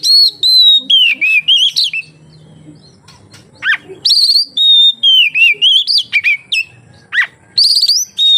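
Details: Oriental magpie-robin song meant to lure other magpie-robins into singing; bright whistled phrases with swooping rises and falls and steep down-slurred notes, a quieter spell in the middle, then renewed vigorous whistling.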